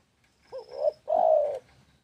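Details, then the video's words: A single phrase of spotted dove song: a soft, quavering opening coo, a brief pause, then a drawn-out, full, even coo, with quiet background. "SUARA BURUNG TEKUKUR"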